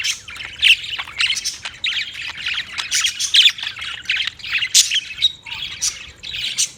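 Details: Budgies in noisy chorus, giving rapid scratchy squawks and chirps in uneven bursts, with louder peaks every second or so over a steady warbling background.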